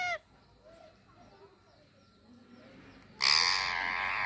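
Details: Pet parrot making a funny sound: a long quiet stretch with faint soft chirps, then a sudden loud, harsh, buzzy screech with strong harmonics that lasts about a second to the end.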